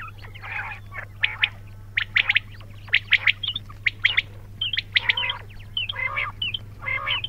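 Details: Quails chirping in dense, overlapping bursts of bright clipped notes, roughly once a second from more than one bird, over a steady low-pitched hum.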